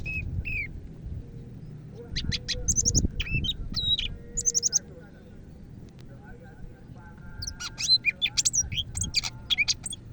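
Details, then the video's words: A vigorously singing greater green leafbird from Medan: two short whistled slurs, a burst of sharp chattering notes, a pause, then a fresh rush of varied high chips and whistles over a faint hum. "BURUNG CAK IJO MEDAN GACOR"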